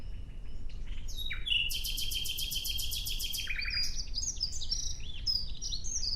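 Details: Rapid, evenly pulsed trill from a nightingale, rolling on for about two seconds after a few introductory notes, then breaking into quick chattering phrases and high whistles, with a low steady rumble underneath.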